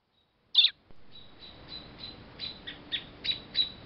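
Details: American robins squawking in alarm and dive-bombing a cat beside their storm-blown nest and fallen chick, South Western Ontario, June 21, 2012: one loud harsh note, then a string of short high chirps every few tenths of a second.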